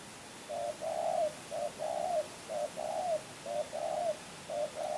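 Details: Spotted dove (tekukur), a champion bird from Kebon Kacang, cooing in a steady series of paired notes: a short low coo followed by a longer, slightly falling one, repeated about once a second against a quiet background.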